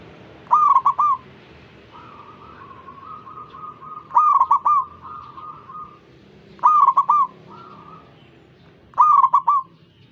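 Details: Zebra dove singing to set off other zebra doves: four phrases of fast cooing notes a few seconds apart, with a longer, fainter warbling coo from another dove in the background between them.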